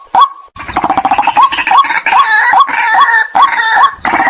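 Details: White-breasted waterhen calls used as a decoy to lure wild birds: hooked, nasal notes repeated about two per second, overlapping into a dense, busy chorus with broad rasping noise throughout.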